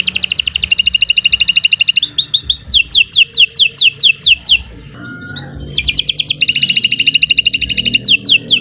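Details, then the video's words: Lively canary singing meant to coax other caged birds into song: rapid high trills of repeated notes, then a series of sweeping chirps, a brief pause and more fast trilling, over a soft low hum. "Kicau Burung Kenari 151 II LUAR BIASA GACOR PANJANG Cocok untuk Masteran"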